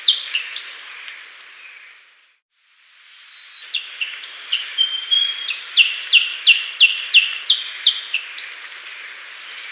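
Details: Black-headed bulbul giving a few chips, then a brief silence, then a run of bright, clipped downslurred notes repeated about three times a second. A thin sustained whistle sits among them over a constant high-pitched hiss.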